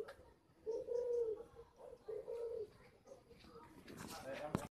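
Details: Spotted dove kept at a bird garden in Ba Vì, Hanoi, Vietnam, giving two low hollow coos, followed by rustling and a brief voice in the background.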